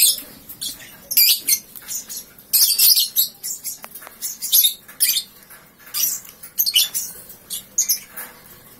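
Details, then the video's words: Right after waking, a three-month-old lovebird gives ngekek: a string of short, shrill, buzzy bursts and sharp chirps, irregularly spaced over nearly nine seconds, some in quick doubled pairs. "Paud 3 bln Bangun tidur langsung ngekek"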